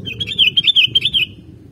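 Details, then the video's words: Sooty-headed bulbul singing, a recording used to lure other birds: one quick, bubbly phrase of about eight warbled, slurred notes at a fairly high pitch, lasting just over a second, over a low background rumble. "Gampang Ke Pancing Kalo Burungmu Dengar Suara Kutilang ini"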